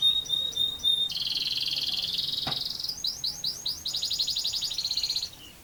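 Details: Singing canary delivering a long rolling song: clipped high notes, then a sustained buzzy trill and a series of quick looping phrases, each tour a rapid repeated rattle at high pitch.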